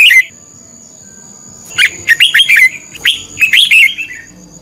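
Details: Red-whiskered bulbul used as a decoy, singing fighting song to provoke others: an opening chirp, then two lively phrases of rapid, rolling, bubbly notes, with a thin steady tone behind.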